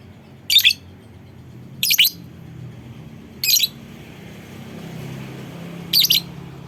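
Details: Lovebird calling to goad other lovebirds into answering with ngekek chatter; four short, piercing, raspy chirps, spaced one to two seconds apart, with a low background rumble.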